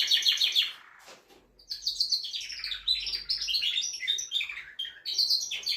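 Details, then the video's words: Male canary singing to stimulate a female for mating: a loud buzzy trill, a brief pause, then a fast run of varied chirps and rolling trills. "تغريد طائر كناري جبار يحفز الذكر ويهيج الأنثي لتزاوج"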